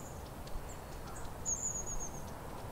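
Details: Long-tailed tit in riverside foliage on the banks of the Rhône near Geneva, Switzerland, on a crisp morning, giving a very high, thin, slightly falling half-second 'tsee' note after fainter high ticks, over steady low rumble.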